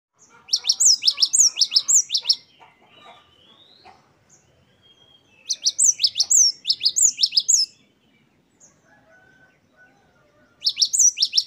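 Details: Great tit singing lively wucit-wucit style song, ten variations, as training recording for caged birds: three bursts of rapid, high, sharply repeated two-note phrases, separated by pauses with faint background chirps.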